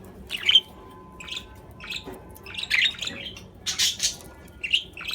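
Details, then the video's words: Budgerigar warbling: rapid high chirps and scratchy twitters in quick succession, with a broad harsh screech in the middle, against a faint steady hum. "أصوات طيور الحب البادجي"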